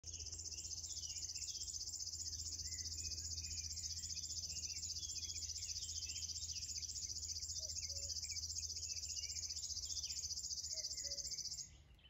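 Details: A River Warbler sings a steady, high, mechanical buzzing reel, like a sewing machine or cricket, for about twelve seconds at Björkliden in Berg, Östergötland, Sweden, while a Common Cuckoo calls faintly behind.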